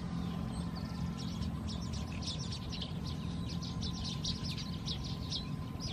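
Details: Juvenile Siamese pied myna following its mother and begging for food, Khao Yoi, Phetchaburi, Thailand, 18 August 2020: rapid, scratchy, high chattering notes in a continuous run, over steady low hum and a constant tone.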